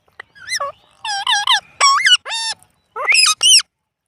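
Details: Indian ringneck parrot talking, saying words such as mitthu and mammi in a string of throaty, harmonic-rich syllables whose pitch dips and rises, delivered in short clustered bursts.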